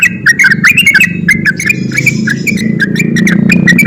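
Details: Sooty-headed bulbul in lively, high-spirited ropel-style song, used as a lure to provoke lazy bulbuls into singing: rapid run of short, bright whistled notes slurring up and down, packed densely over a low steady hum.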